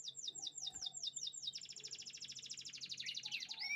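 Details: Canary song with chirping sounds: a run of repeated descending whistled notes, then a fast rolling trill of rapid pulses, ending in a few rising sweeps.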